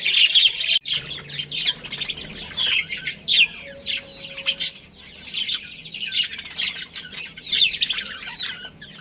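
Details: Budgerigar colony with a breeding pair, chirping: busy high chatter of squeaks and buzzy notes in uneven bursts, a brief pause early on, and a short steady tone in the middle.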